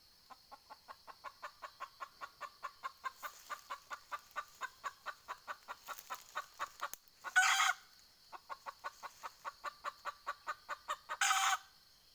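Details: Red junglefowl decoy hen luring wild birds: long runs of rapid clucks, about three to four per second, each run ending in a loud, rasping squawk lasting under half a second, the pattern heard twice.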